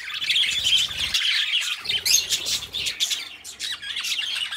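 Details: Two domestic budgies warble in rapid, buzzy, high twitters, the chatter briefly thinning after one second before resuming; a soft low rumble runs underneath at times.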